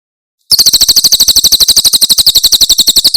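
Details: Javan prinia of the Cililin type, a very clear recording used as a master for training cage birds: a fast, even trill of sharp high notes, about eleven per second, starting after a short silence.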